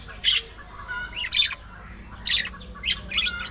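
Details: Budgerigars kept as an aviary colony: five loud, grating squawk bursts with short warbled notes between them, in a quiet setting.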